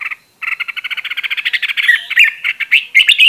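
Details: Caged red-whiskered bulbul used as a training decoy, in a fired-up state: after a brief note and a short pause comes a fast, steady rattling trill of about four notes per second, which turns into choppy, varied whistled phrases.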